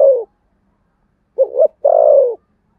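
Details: Low, hollow cooing of a spotted dove duelling in the Sấm Thổ style: the end of one coo, silence, then two quick wavering hoots and a long coo that falls gently in pitch.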